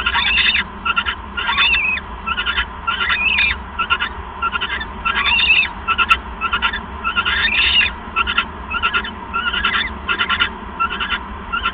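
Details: Owls calling during a bonding visit on the evening of 7 January 2015, on a live nest camera: harsh, raspy chittering bursts repeated rapidly and unevenly, with some rising squeals, over a steady low hum.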